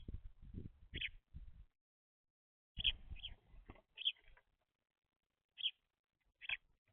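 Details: Baby house sparrows feeding on seed: bursts of low knocking and shuffling open the recording, followed by separate bright chirps spread out every second or so.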